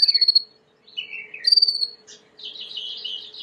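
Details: Timbrado canary, a white canary kept as an aviary bird, singing for training: a fast pulsed trill, a lower descending phrase, then a bright rising burst and a buzzy rolling trill; a faint steady hum underneath.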